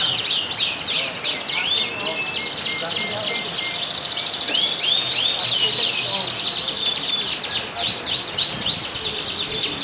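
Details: Contest canary, a yellow bird in Yogyakarta, Indonesia, delivering a sustained, dense, high-pitched warbling song of rapid looping phrases and steady whistled notes, with a murmur of people and other birdsong behind.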